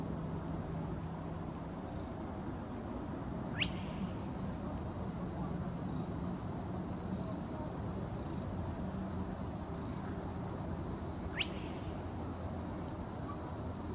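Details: Spotted crake (Porzana porzana) singing at night on 11 April 2024 at Wrocław-Kowale, SW Poland: two sharp whip-like rising whistles about eight seconds apart, fainter distant whistles between, over a steady low rumble.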